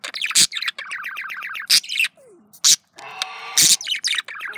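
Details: Male budgerigar courting itself; chattering warble of rapid repeated chirps, harsh squawks and clicks, with a descending whistle near the middle.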